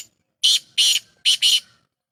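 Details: Black francolin of Sindh giving its call: four loud, harsh, grating bursts in two pairs, the last two run nearly together, over a quiet background.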